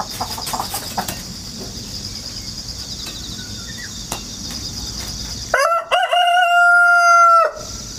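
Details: Rooster hatched at home and raised in the countryside, recorded 1 September 2019 with a GoPro and wireless microphone, crowing many times in a row. Steady insect chirring, then one loud crow: a short rising start and a flat, ringing note held about two seconds.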